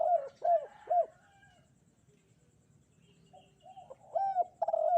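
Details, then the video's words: Spotted dove cooing vigorously on a bright, sunny morning: three short arched coos in quick succession, a pause of about two seconds with faint murmurs, then another burst of three to four rounded, mid-pitched coos. "Di pagi hari nan cerah ☀burung derkuku kuk 2 gacor"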